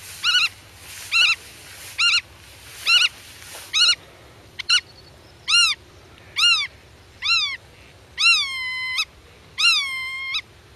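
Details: Territorial black-tailed godwit defending its nest, talking with hidden young: rapid short yelping notes about once a second, shifting to arched, then longer flat-topped nasal calls, with a low hum underneath.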